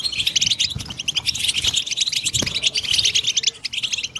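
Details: European goldfinch song used to stimulate other goldfinches, a fast stream of bright twittering and chattering notes with faint low thumps underneath.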